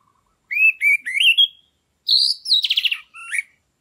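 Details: Captive orange-headed thrush singing loudly, played to stir other caged birds into breeding condition: clear slurred whistles climbing in pitch, a short pause, then a bright rising whistle and a rapid buzzy trill. The background is silent.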